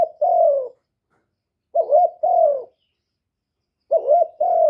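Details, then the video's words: Spotted dove, young male, calling loudly: one drawn-out downslurred coo, then two phrases of a wobbling short note plus a longer falling coo, separated by gaps of over a second. "Tiếng chim cu đất gáy lớn tiếng, cu gáy thúc, cu gáy gọi, cu trống tơ gáy to, cu cườm gáy,cu đất gáy"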